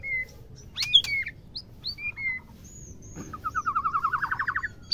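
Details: Female white-rumped shama call for stimulating males: a few separate whistled notes and clicks, then a steady rising train of about a dozen quick, evenly spaced notes.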